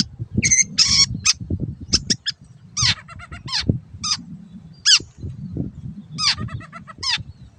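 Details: Long-tailed shrike on a master track for caged birds: grating notes mixed with short chattering bursts in an irregular, scratchy sequence, over steady low background noise.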